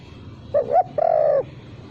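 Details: Single spotted dove lure phrase lacking the kuk ending: two quick rising notes, then a long steady coo falling slightly at the end, over low background hum.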